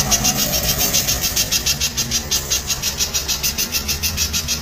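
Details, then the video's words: Spiderhunter giving a loud song in the rapid-fire style called tembakan rapat: fast, even series of sharp high chips, roughly three per second, over a steady low rumble like an engine. "masteran pijantung suara keras tembakan rapat"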